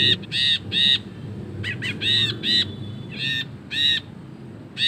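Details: Ashy bulbul chattering continuously in a ngekek song for master recordings: repeated harsh, nasal double and single notes with short pauses, fairly loud, over a noticeable low-pitched background rumble.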